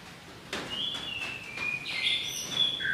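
A Belgian canary sings a sustained, high trilled roll that shifts to a brighter, wider warble, then drops to a lower tour at the end.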